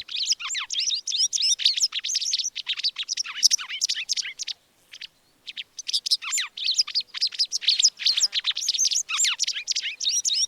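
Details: White wagtail, a migratory bird in Sri Lanka, giving a fast, continuous stream of high, sharp twittering chirps, broken by one brief pause midway; nothing else is heard.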